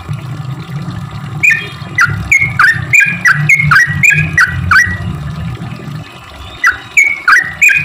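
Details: Singing sooty-headed bulbul, its song used as a lure for quiet bulbuls: after a second of low rumbling noise, a rapid string of bright chirping notes with swooping inflections, pausing briefly before a few more notes.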